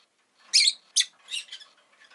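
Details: Rosy-faced lovebird, a pet bird, gives three to four harsh, high, broadband chirps in quick succession over about a second, the first two loudest, then quieter trailing notes; otherwise quiet.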